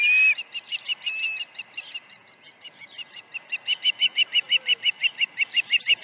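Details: Osprey at its nest at Dunrovin Ranch, morning of 21 August 2019, when fish arrived twice. One sharp upslurred whistle, then a faint stream of chirps that swells into an evenly spaced, loud run of piercing notes, about three per second.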